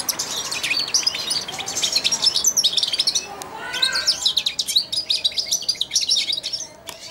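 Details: Young European goldfinch, four months old, kept in a cage and used to eating from the hand, sings a babbling subsong while hand-fed: a fast, continuous stream of high, scratchy twitters and tinkling notes, briefly broken by a lower warbled phrase.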